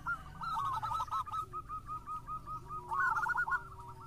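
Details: Local zebra dove singing, a lure recording: a fast trilled coo opening, a long even run of short soft notes, then another rolling burst, over a low rumbling background.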